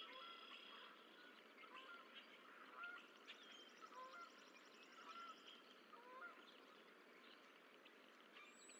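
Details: Goose calls at the Decorah eagle nest while the last of six goose eggs hatches, 4-14-24: short, nasal, honk-like notes repeated roughly once a second, with trilled and whistled songbirds in the background.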